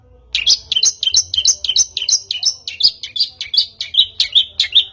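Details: Long-tailed shrike, a lure to make a bird sing: steady series of chirped notes, each a high note dropping lower, repeated about three times per second for several seconds.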